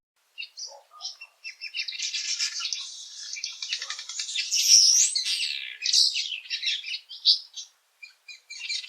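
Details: Cape Weaver (Ploceus capensis), a common Eastern Cape (South Africa) garden bird, calling: a dense, buzzy, swizzling chatter of harsh high notes run almost continuously, with brief gaps near the end.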